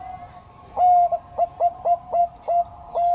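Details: Bangkok turtledove giving short, punchy coos, each with a quick upward flick, spaced roughly every third of a second after a quiet start.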